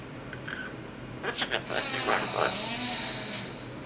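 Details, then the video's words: Twelve-year-old female Double Yellow-headed Amazon, a pet that talks, sings and calls an imaginary cat, makes a run of short voice-like syllables and then a long, steady, high whistled tone, with household background hum. "Talking & Singing Double Yellow-head Amazon Parrot"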